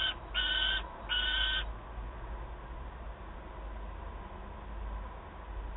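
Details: Peregrine falcon chick at Wałbrzych on 9 August 2022, begging its mother for prey: two harsh, drawn-out wailing calls in quick succession at the start, then only low background hum.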